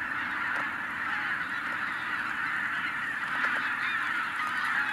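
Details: In the 2023 wild goose season, tens of thousands of wild geese flushed by a white-tailed eagle call at once, making a dense, unbroken roar of overlapping honks and cackles with no single voice standing out.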